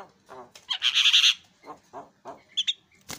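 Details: Javan myna singing in a tutor recording: a loud, grating chatter of rapid buzzy pulses, followed by lower rough notes and a pair of high squeaky chirps.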